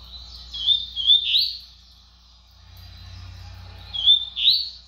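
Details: Brown-plumaged double-collared seedeater singing fast: rapid whistled and buzzy phrases around a high pitch, with sharp up-down twists, given twice with a quieter steady trill between and a low hum underneath.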